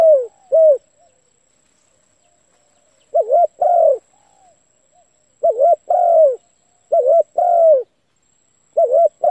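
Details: Spotted dove cooing as a trapping lure to provoke decoy birds. Short wavering coos and longer falling coos come in bursts of uneven spacing. A faint steady high-pitched whine runs underneath.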